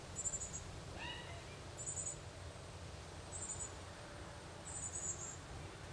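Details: A northern cardinal fledgling begs as the mother cardinal feeds it: four high, thin, drawn-out notes roughly a second apart, with a brief rising harmonic sweep near the start and low background rumble throughout.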